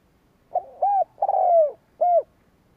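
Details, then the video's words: Decoy spotted dove cooing to incite rivals: four mellow notes in one phrase, two short, one long and gently falling, then a short one, with nothing else audible. "Cu mồi gáy kích bổi chuẩn mới / Chim cu gáy kích bổi nghe là gáy"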